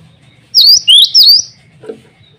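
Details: Three loud, piercing high notes from a male cinereous tit calling rivals and females, followed by a soft knock.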